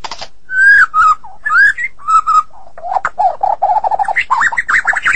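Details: Vigorous song from a Medan-type white-rumped shama: drawn-out whistles and slurred notes open the phrase, then a faster run of short warbled notes that climbs higher toward the end.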